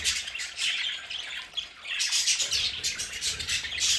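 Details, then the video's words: Budgerigars in their play area at home squawk loudly and chatter almost without pause, a dense wash of harsh high calls with a low rumble underneath. "Sonidos de budgies para Budgies en casa"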